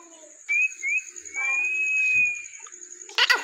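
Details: Indian ringneck parrot, said to be talking, gives two short rising whistled notes, then one long, smooth, slightly arched whistle, ending with a brief harsh burst; a steady high-pitched electrical whine runs underneath throughout.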